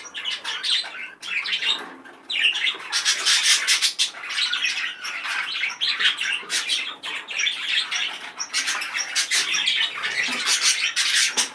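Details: Excited male budgerigar warbling fast and loud indoors: dense chattering of squawks, chirps and buzzy notes, with short pauses around one and two seconds, some wing flapping.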